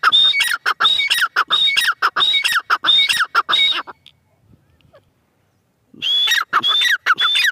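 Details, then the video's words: Female francolin calling in rapid, harsh phrases of whistled and falling notes. The calls stop for about two seconds of quiet, then start again with the same strident pattern. "madi teetar ki awaz"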